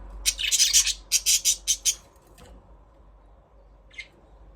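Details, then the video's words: Budgie chirping in a rapid run of about a dozen harsh, buzzy squawking notes lasting under two seconds, then silence and one faint chirp. "Budgies parrot chirping sound"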